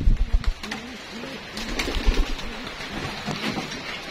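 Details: Racing homing pigeons at feeding time, kept for racing, with low cooing phrases that rise and fall. The phrases come rapidly one after another, with knocks and clatter in the background.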